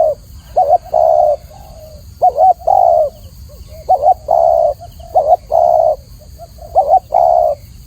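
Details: Spotted dove (tekukur) song, clear and loud: repeated coo phrases of a short wavering double note followed by a longer steady coo, about 37 per minute, over faint low background hiss.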